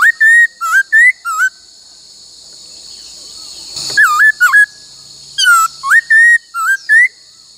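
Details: Female laughingthrush used in song training for many-voiced singing, giving bursts of loud whistled notes that swoop and bend, grouped in quick runs with a quiet gap midway, over a constant high hum.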